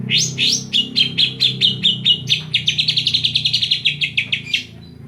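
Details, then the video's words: Greater green leafbird from Banyuwangi, Indonesia, singing a song filled with 'kapas tembak' phrases: a fast, continuous run of sharp, bright chirps and trills, some sweeping upward, repeated rapidly for about five seconds over a low background hum. "Cucak ijo banyuwangi isian kapas tembak"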